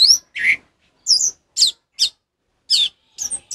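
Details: Orange-headed thrush, 'ngeplong' song style, for training captive birds that have stopped singing; loud separated notes, one lower and buzzy, others high twisting whistles, spaced irregularly about a second apart.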